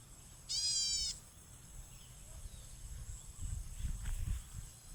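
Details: An unidentified bird, said to sing very actively, utters one short nasal note with many harmonics near the start, followed by several seconds of low rumbling and handling noise.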